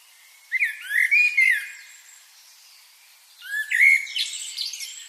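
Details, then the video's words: Birds chirping: two bursts of clear whistled, swooping notes with rising and falling slurs, the second burst mixed with fainter, higher twittering. "birds chirping sound"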